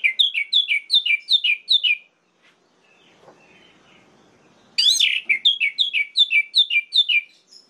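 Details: Orange-headed thrush song meant to rouse rival males: two fast runs of bright, down-slurred whistles, each note repeated in rhythmic series, separated by a short quiet stretch with faint background rustle.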